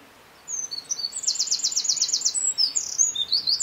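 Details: Eurasian wren singing in the Czech Republic: a loud, very high song of rapid twittering notes with a fast machine-gun trill in the middle, then more squeaky flourishes.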